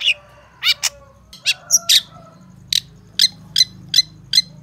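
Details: Long-tailed shrike song from an Indonesian training and lure recording full of varied phrases: harsh, scratchy broadband bursts, then a series of short sharp notes repeated roughly every half second, with faint low hum beneath.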